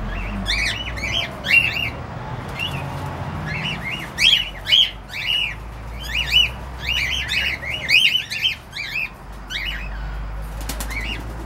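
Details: A cockatiel gives a long run of harsh, arched squawks, often in quick pairs and clusters, with brief gaps between bursts and a steady low hum underneath.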